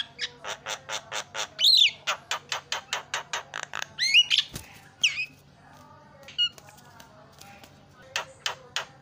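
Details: Starling calls used as a lure to rouse silent starlings into song: a run of harsh, evenly spaced chattering notes, then rising whistled squawks and scattered calls, ending in a few more harsh notes, with a low steady hum underneath.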